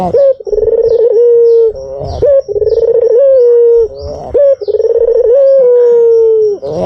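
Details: White dove cooing, used as a lure: loud low coos, each opening with a short rising note, then a wavering stretch and a long steady tone sliding slightly down. Repeated about every two seconds, three phrases.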